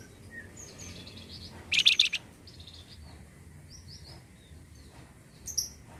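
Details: Flamboyan bird sound played to encourage caged birds of its kind to sing: scattered thin high chirps and short whistled notes, a loud rattling buzzy burst near two seconds, then one sharp high note near the end.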